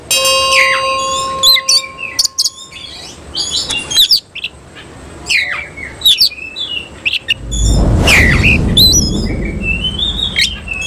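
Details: Oriental magpie-robin, semi-cililin type, singing with its tail spread: scattered high chirps, quick slurred whistles and short trills over a steady electronic-sounding tone at first, then a burst of broad rustling noise before the whistled notes resume.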